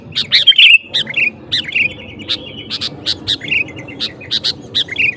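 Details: Sooty-headed bulbul in full, lively voice, used to provoke rival bulbuls into singing: a quick run of sharp, bright chirps and short warbled notes, roughly four a second, some in tight pairs, over a faint low background rumble.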